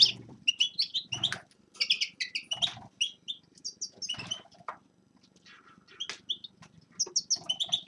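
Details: Winter song of forest birds as scattered short, high chirps and sharp tweets, some doubled, with brief pauses between bursts and a soft low rumble underneath.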